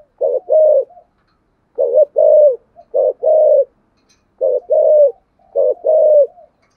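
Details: Spotted dove cooing in the deep 'giọng thổ sấm' voice style with a two-note ending; low hollow phrases of a short double coo and a long falling note, repeated about every 1.5 seconds in near silence.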